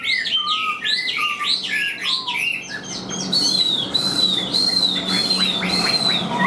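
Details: Tame, hand-carried Chinese hwamei singing loud, varied phrases of rising and falling whistles, then rapid repeated ringing notes, all strong and continuous.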